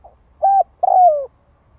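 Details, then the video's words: Spotted dove call played to lure wild doves: two clear, low cooing notes, a short hollow coo followed by a longer coo that slides downward, with nothing else audible. "Tiếng Chim cu gáy kích bổi nhanh nổi hiệu quả"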